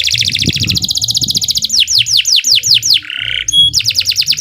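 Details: Long, vigorous canary song: dense high trill of rapid repeated notes, a run of slurred descending sweeps, a brief buzzy rattle and a pure whistle, then trilling resumes; faint low rumble beneath.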